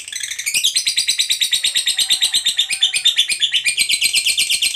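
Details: Lovebird of the fighter type singing a long ngekek trill, used as a lure to draw answers from other lovebirds: a rapid, even chatter of high, buzzy pulses, about eight a second, running unbroken for the whole stretch.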